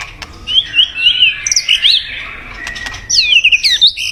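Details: White-rumped shama song, used as a mate-calling decoy: thin, high, twisting whistled warbles in two bursts, with a soft steady noise underneath.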